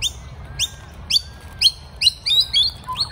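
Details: Wet young magpies being fed in the morning after rain: loud, sharp rising squeaks in quick succession, some doubled or run together toward the end, with a faint low rumble beneath.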